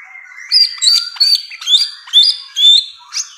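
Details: High, slightly buzzy phrases from a bare-throated whistler (samyong), each lasting about a quarter second and repeated around twice a second over a faint, steady background tone.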